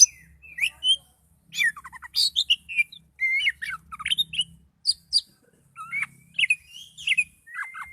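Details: Oriental magpie-robin in highly emotional song, varied whistled notes, downward slurs and scratchy chatter in quick succession, ending on a long level whistle.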